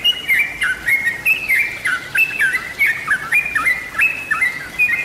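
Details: Sooty-headed bulbul song used as a lure recording for birds: clear, bubbly whistled phrases that step up and down, short notes repeated in quick succession for about five seconds.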